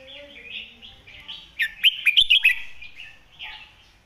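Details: Red-whiskered bulbul singing a model phrase to tutor birds: a loud run of about six sharp, lilting whistled notes in one second, amid soft warbling chatter from other birds.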